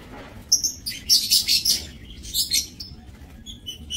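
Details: Aviary-kept breeding lovebirds, 30 May 2024: a run of sharp, high, scratchy chirps and chattering squeaks in irregular bursts, busiest in the middle, then scattered short tweets toward the end.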